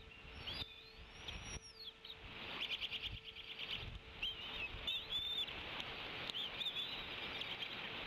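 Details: High thin whistled notes and chitters from a female bald eagle calling tea kettle-style at the Decorah N2B nest, 30 April 2016, as her mate delivers prey. Short wavering phrases come mostly in the second half over steady outdoor hiss.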